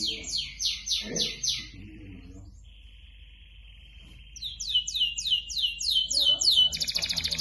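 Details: Canary in full song used to get other canaries singing: a run of five sweeping descending notes, a long steady thin whistle, then quick repeated downward slurs and a dense buzzy trill.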